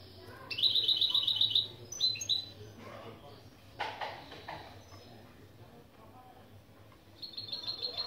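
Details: European goldfinch and canary mule, opening phrases for a lesson: a rapid bright trill and short notes, then scattered clicks and knocks, ending with another trill. Low hum throughout.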